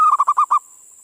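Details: A zebra dove (perkutut) sings, used as a lure for local doves: a mellow opening coo breaks into four quick, stuttering notes within half a second, over a faint steady high hiss.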